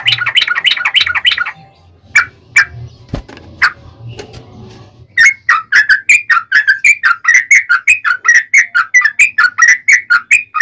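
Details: Yellow-vented bulbul fighting song used as a lure; a burst of jumbled chattering, a stretch of scattered clicks and low rumble, then a long steady series of loud bubbly whistles, about three per second.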